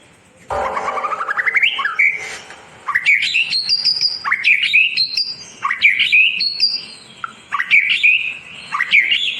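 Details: White-rumped shama song used to tutor birds that stopped singing: a rising buzzy glide opens into varied whistled phrases with abrupt upward sweeps and chattering notes, rich and continuous.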